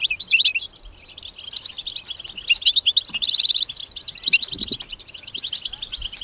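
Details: European goldfinch singing in the wild: a lively, tumbling run of high twittering and tinkling notes with quick buzzy trills, nearly continuous with brief dips, faint low background rumble.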